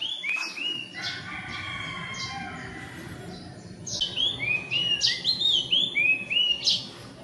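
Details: Philippine magpie-robins gathering nest material, perching briefly to sing, possibly claiming territory; a loud whistled song of rich, slurred notes rising and falling between phrases, with a few chirps and wingbeats early on over steady background hiss.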